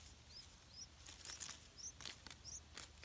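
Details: Yellow-vented bulbul chicks in a nest hidden in an areca palm, being fed insects by their parents, give thin, very high upslurred squeaks, about one every half second, over close rustling and scratchy clicks.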